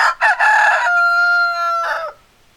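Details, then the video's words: Rooster crowing loudly and close: two short rough opening syllables, then a long, steady, clear tone held for about a second, ending in a harsh falling syllable, with silence after. "Chicken Sounds Noises Hens Clucking Roosters Crowing"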